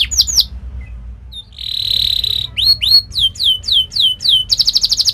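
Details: Canary training song for young canaries: two sharp whistles, a pause with faint notes, a sustained buzzy tone, then a series of rising and falling whistled notes ending in a quick trill.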